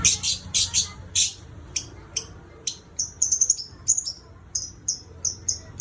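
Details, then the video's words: Pet lovebird whistling on and on: very high, short piercing chirps in quick irregular bursts, some doubled and some stacked into brief rapid runs. "Love Bird nya bersiul terus"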